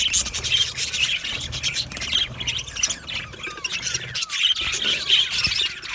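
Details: A budgerigar colony in an aviary, said to be happy, chatters with shrill twitters, short squawks and a few slurred descending whistles, many birds calling together.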